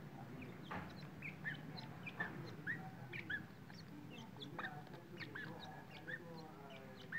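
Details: Chicks of the grey francolin peeping: brief high, slightly upward notes repeated irregularly, with low rustling and hum underneath.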